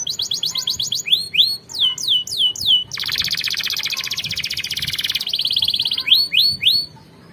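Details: Canary song for teaching other canaries to sing: quick trills and loud downward swoops, a long dense buzzing roll lasting about two seconds, then more swooping notes.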